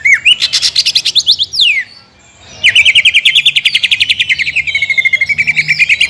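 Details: Greater green leafbird lure song for stimulating contest birds: a rippling high trill, a long descending slur, a brief silence, then a long even rapid trill of repeated notes.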